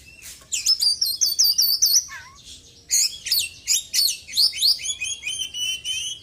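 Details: Oriental magpie-robin, a white-breasted caged bird after moulting, in full song packed with imitated small-bird phrases: rapid high whistled and rising-falling notes in two loud bursts separated by a brief pause.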